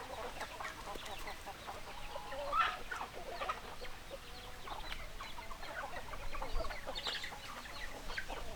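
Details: Hens clucking in a group: scattered soft clucks and brief squawky notes throughout, fairly quiet, with one louder note midway and a faint background hum.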